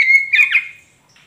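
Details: Oriental magpie-robin of the kacer poci type, recorded as a lure to prompt a silent bird to reply: a sustained whistle breaking into a brief harsh, chattering squawk that fades away.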